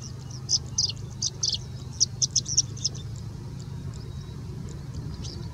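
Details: Singing bush lark in India singing continuously and mimicking other birds such as Indian Robin, Pied Bushchat, Plain Prinia and Common Woodshrike; a rapid series of thin high chirps and short notes over about three seconds, with a steady low rumble of traffic beneath.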